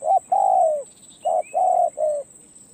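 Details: Spotted dove in Thailand giving a short phrase of four low hollow coos, the second drawn out and slightly falling, the rest clipped and evenly spaced, with a faint high whine in the background.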